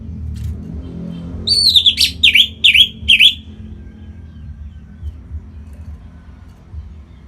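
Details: Captive orange-headed thrush from Singaraja, North Bali, singing to spur other birds to sing: four or five quick, sharp down-up whistled notes in a fast burst, then a quiet stretch with low background rumble.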